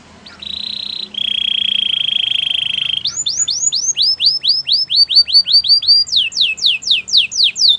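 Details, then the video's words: Belgian canary singing a training song: a long steady whistled note, then a lower sustained buzzy trill, followed by a fast series of rising, sweeping whistled syllables repeated in rapid succession. "Canary songs for training | Belgian canary singing"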